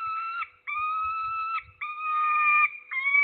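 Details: Peregrine falcon in Nadleśnictwo Trzebież, Poland, morning of 6 September 2022: loud, harsh, sustained wailing calls, four long screeching notes each lasting about a second, separated by short pauses, with faint knocking below.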